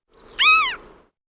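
A gull gives a single nasal, harmonic-rich call that arches up and falls away, about a third of a second long, against a faint background hiss.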